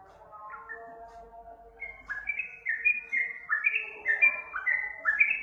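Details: Yellow-vented bulbul lure song: faint low notes at first, then from two seconds a lively run of bubbly, slurred whistled phrases stepping up and down, growing louder, with overlapping notes suggesting several voices.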